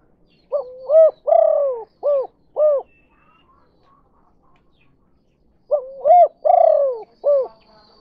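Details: Spotted dove lure call, kuk 2 style, meant to draw in other doves: two repeated phrases of soft low coos, each with one drawn-out falling note among shorter hoots, with a long gap between.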